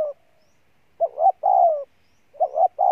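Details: Spotted dove, a wild-caught bird, cooing intensely. Low, mellow phrases of paired short notes lead into a longer wavering coo, repeated back to back with brief pauses. The recording is otherwise quiet.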